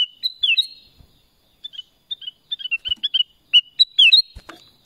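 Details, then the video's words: Black-crested bulbul, known locally as kutilang emas, giving bright whistled notes around the upper-middle range, short slurred phrases with downward swoops, repeated in bursts with brief pauses between them. "Suara Kutilang Emas | BLACK CRESTED BULBUL"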